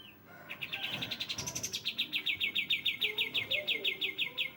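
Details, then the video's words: Sooty-headed bulbul used as a therapy recording for birds: a single steady train of bright, high chattering notes, roughly three per second, briefly rising higher near the start, over quiet low rumble. "terapi burung kapas tembak"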